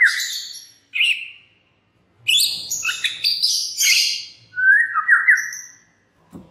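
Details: White-rumped shama singing as a lure meant to set other shamas singing: a falling whistled phrase near the start, a brief note, then a dense run of varied sweeping and trilled notes ending in a flat downslurred whistle.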